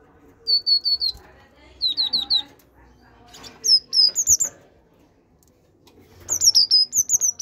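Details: Great tit song made of repeated phrases of three or four high, even notes, then higher, tumbling two-note figures, with long silent gaps between the bursts.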